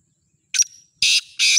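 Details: A black francolin being sold calls in full: a short scratchy note with a thin trailing whistle, then two long, harsh, grating bursts.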